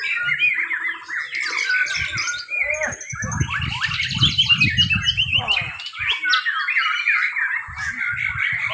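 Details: White-rumped shama contest in Mimika, Papua, featuring 'full isian' and 'roll tembak' singing: a long run of quick rising and falling whistles, trills and harsh chatters from several birds, over loud crowd chatter in the middle.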